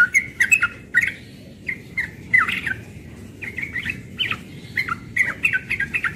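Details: Morning 'ropel' song from a young yellow-vented bulbul, a hurried chatter of liquid, rising-and-falling phrases delivered in tight clusters with brief pauses between bursts.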